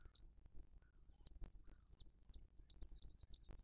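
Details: Booted eagle nest in 2023, the mother feeding her chick: spaced high, arched whistled notes, some in quick pairs, over low rumbling and a few sharp knocks.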